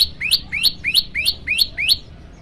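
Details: Olive-backed tailorbird singing, recorded as training material for other birds: six quick rising upswept notes, each capped by a thin high click, delivered in a regular run of about three per second before the phrase stops; low steady hum behind.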